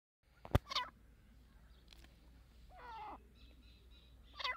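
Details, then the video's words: Dakni partridges fighting: a sharp click, then short harsh rasping calls with layered overtones in brief bursts, one drawn-out grating call near the middle and another at the end, over a steady low hum. "دکنی تیترکی مست لڑاٸ"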